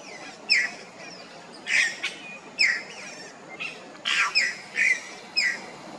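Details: Yellow-rumped cacique (xexéu) at Ilha de Comandatuba, Bahia, Brazil, 2020, repeating harsh, clipped squawks with a bright metallic edge, about eight in six seconds, some given in quick pairs, over a constant low hiss.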